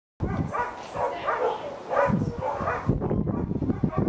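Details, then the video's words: White-backed vulture, captive at Eagle Heights in Kent, August 2019: a run of harsh, nasal, wavering squeals rising and falling in quick succession, over a constant low rumble of thuds and scuffling, then a louder burst of rough noise near the end. "WHITE BACKED VULTURE"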